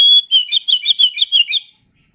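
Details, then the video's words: Kacer (oriental magpie-robin) masteran song: an opening pure whistle followed by about eight evenly spaced chirpy, slurred notes in a fast rhythmic series, then silence. "Masteran Suara Kacer"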